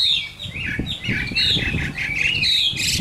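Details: Chinese hwamei, a caged adult caught in the wild, delivering a harsh, varied song. Scratchy squawks alternate with short clear whistles, with a low thumping noise underneath.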